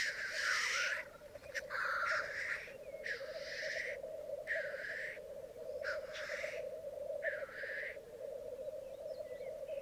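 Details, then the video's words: Black grouse lekking on a bog in Mykland, Norway, on a May morning in 2022, with twelve males and two females present: a steady low bubbling chorus runs throughout while about six harsh hissing sneezes burst out in turn, roughly every one to two seconds. "Orreleik i Mykland, mai 2022"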